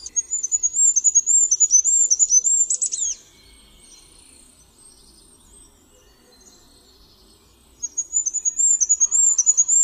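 Goldcrest giving very high, thin, sibilant notes in a quick run of about three seconds, then a quiet gap before another high-pitched series.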